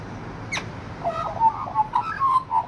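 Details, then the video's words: Australian magpie song: a short run of mellow, fluting warbled notes, gliding and wavering in mid pitch, after a single sharp click. "Australian magpie song"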